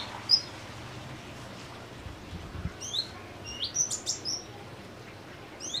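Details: A caged kolibri ninja sunbird on simple care sings sparsely: one high chirp, a pause, then a short cluster of thin, sharp twittering notes with a low hum behind.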